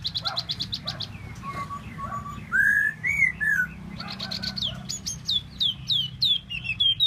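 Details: Tieu mi bird song of rapid high trills, clear rising and falling whistles, and sharp downslurred chips in lively bursts, over a faint low rumble.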